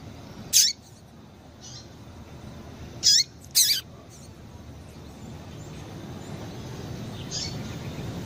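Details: Female coleiro (Double-collared Seedeater) contact notes played to excite males: a few thin, high squeaky chips, two close together, then faint echo-like softer chips, over steady low background hiss.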